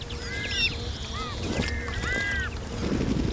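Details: Group of Iberian magpies bathing in a fountain; several slurred, arched whistled calls repeated at irregular intervals over constant splashing water and background hum.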